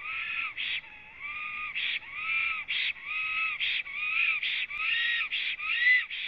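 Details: In Latvia, a black stork sings at its nest after arriving, preening between phrases, on a live nest camera, 26 April 2017, 09:31; repeated hoarse, hissing bursts alternate with soft whistled arcs, roughly once per second.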